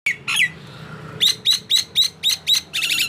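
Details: Nias hill myna calling: a squawky note, then a run of sharp, evenly spaced whistled chips about four per second, ending in a harsher buzzy burst.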